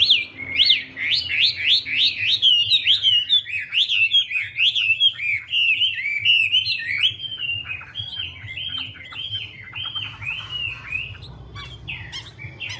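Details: Female Chinese hwamei, Garrulax canorus, dancing with spread wings to stimulate the male: a rich run of fast, looping whistled phrases sliding up and down, loud for seven seconds then fading into softer repeated notes, with faint low hum beneath.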